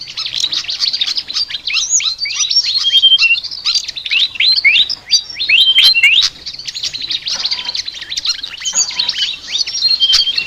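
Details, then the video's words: Flycatcher chattering song, a continuous dense stream of high, squeaky, twittering notes with quick upward and downward slurs and short clear whistles, running for over ten seconds with only brief dips. "BURUNG SIKATAN NGOCEH TER UNIKK"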